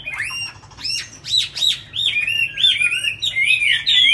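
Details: Chinese hwamei, tame and caged in Hà Nội, noted as a strong singer: sharp rising notes lead into a long flowing series of clear, looping whistles, growing louder and brighter toward the end.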